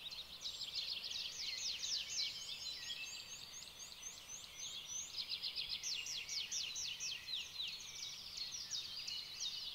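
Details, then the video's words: Dense overlapping chorus of many birds singing at once in spring sunshine in Romania: high, rapid chirps and trills with a few clear whistled phrases standing out; bird. "Relaxing bird sounds"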